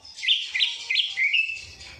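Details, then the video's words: Isian kapas tembak song from a greater green leafbird: four bright, sharp, upswept chirps in quick succession, the last stretched into a brief whistle, against a quiet background. "CUCAK IJO ISIAN KAPAS TEMBAK"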